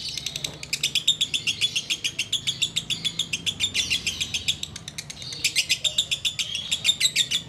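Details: Sooty-headed bulbul, heard during the wait to break the fast, delivering ngekek chatter: long volleys of sharp, rapid high notes that surge and ease slightly, kept up for several seconds, over faint low background hum.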